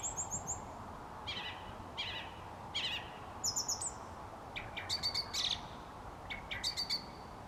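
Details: A song thrush at dusk sings short, bright, varied phrases, some repeated two or three times, over a steady background hiss; a thin high note from another bird sounds at the start.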